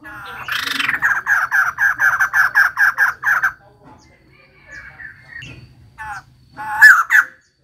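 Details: Female white-crested laughingthrush delivering a fast train of harsh, laughing notes about four per second, followed by quieter scattered calls and a final loud, piercing cackle.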